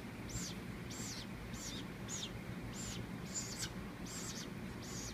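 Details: Hand-raised baby woodpecker, fallen from a palm-tree nest, calling at feeding time as it is fed moist cat food and water from a paint brush; eight arched, raspy high notes, roughly one every half second, over a steady low hum.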